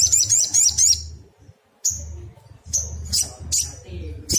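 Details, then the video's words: Brown-throated Sunbird singing excitedly to provoke a reply from other birds: a rapid, shrill trill for about a second, then a pause and sharp high chirps every half second, with a low droning hum underneath. "Pancingan paling ampuh bikin SOGON apapun jadi nyaut nembak - PANCINGAN SOGON AGAR BUNYI"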